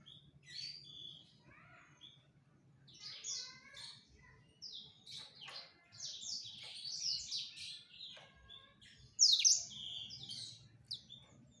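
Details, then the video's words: Male black-throated canary courting a female, singing softer, scattered high chirps and trills with gaps between phrases, over a low background hum. "Ocehan Blacstroat Male merayu Burung Female"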